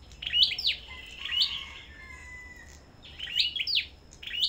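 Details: Competitive song of a Sâu đầu đỏ kept at a bird farm. Bright, squeaky sweeping notes come in two clusters, and a thin falling whistle sounds in the gap between them.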